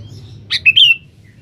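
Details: Sooty-headed bulbul calling a rival, used as a lure: a single short phrase of a buzzy opening note followed by two clear whistled syllables, the last drawn out and slightly falling.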